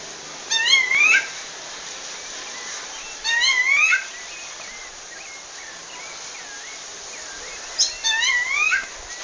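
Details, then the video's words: Wild female rufous-bellied thrush in Pernambuco, Brazil, calling to a male with three loud bursts of rising, slurred whistles about every three to four seconds, softer looping whistles in between, under a steady high insect drone. "FÊMEA DE SABIA LARANJEIRA CHAMANDO MACHO NA NATUREZA"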